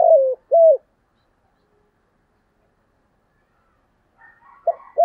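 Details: Decoy spotted dove calling to provoke wild doves into fighting: two short, level hooting coos, then a long silence and the start of another phrase with faint softer notes.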